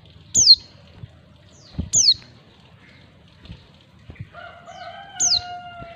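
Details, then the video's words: A female white-eye calling to draw in males gives high, thin, steeply falling notes, three in six seconds. A lower, sustained crowing sound from another bird starts partway through, over a soft low background hum. "panggilan pleci betina. pleci jantan auto nyawut"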